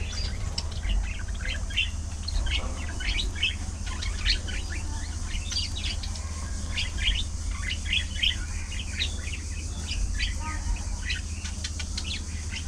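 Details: A lively budgerigar colony socializing and chirping; dense overlapping chirps and chattering warbles from many birds, continuous throughout, above a constant low background hum.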